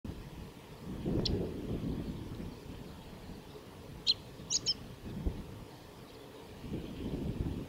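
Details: Male Chestnut-eared bunting singing at the Kita-Fuji training area, Japan, on 21 May 2017: a few short, high, sharp chirped notes, one early and a quick cluster of three midway, over a steady low rumbling background.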